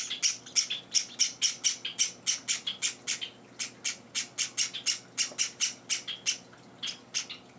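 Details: Java sparrow chicks, four days in their new home, begging while being hand-fed indoors: rapid, harsh, high-pitched squawks repeated several times a second in a steady, insistent stream.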